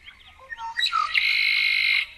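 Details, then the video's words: Bird call: a few soft warbled notes rising into a loud harsh, buzzy squawk held for about a second, with quiet surroundings. "Bird chirping bird singing bird sounds"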